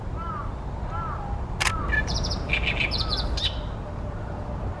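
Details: Oriental great reed warbler, Ashiya, Japan, late May 2020, newly arrived at its nesting pond and singing loudly from a tall tree: a burst of rough, chattering harsh notes, preceded by soft downslurred calls from another bird, over low rumble.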